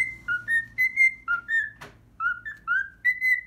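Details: Pet cockatiel whistling a few bars of the learned Pythagora Switch opening theme, with slower, longer held whistles alternating high and low, and one sharp click partway through.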